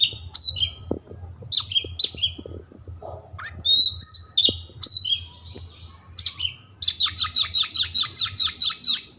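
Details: Energetic white-rumped shama (kacer) song mixing whistled glides, sharp chips and buzzy notes, ending in a rapid run of about a dozen evenly spaced pulses; low background hum throughout.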